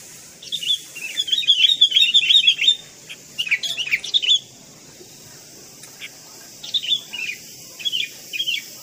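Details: Tame caged sooty-headed bulbul, a pet bird raised from a young age, sings bubbly whistled phrases. A long warbling run comes first, then a second burst, and later short, spaced chirping notes, all over a quiet background.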